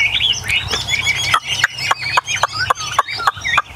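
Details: Caged tame Chinese hwamei from a group of eight gives a short whistled phrase, then a series of sharp, abrupt notes repeated about three to four times per second, with other birds faintly behind.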